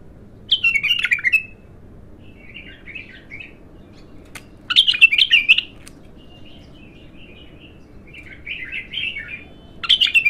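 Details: A raw young bulbul singing for the first time: short warbled, chattering phrases of mid-high notes, delivered in bursts roughly every two seconds with quiet gaps between, plus softer fluty fragments.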